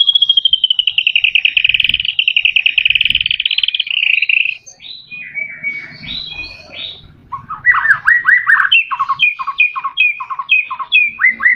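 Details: White-rumped shama song for prompting captive birds to sing: opens with a long rapid trill held high and steady for four seconds, then mixed phrases and a run of repeated slurred whistles.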